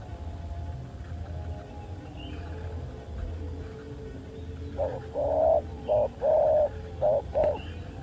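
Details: Spotted dove, filmed during a dove fight: a burst of six low, hollow coos in the latter half, short and longer notes alternating in a quick broken rhythm, following several seconds of quiet background rumble.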